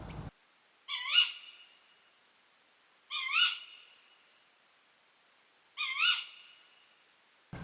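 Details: Female Tawny owl (Strix aluco) at night in the UK giving her contact call to the male: three sharp, ringing 'kewick' calls with a quick upward twist, about two and a half seconds apart; brief noise bursts at start and end.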